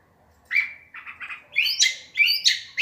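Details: Curve-billed thrasher singing at dusk: a run of varied phrases, clear whistles near the middle range with buzzy, rasping notes and higher slurred accents, each phrase separated by brief pauses.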